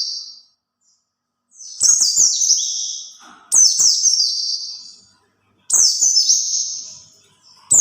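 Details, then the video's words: White-eye song used to lure other white-eyes: high bright phrases that start with a sharp burst and slide downward in a warbled trill, three phrases with short silent gaps between them. "kicau pleci buat pancingan pleci lain"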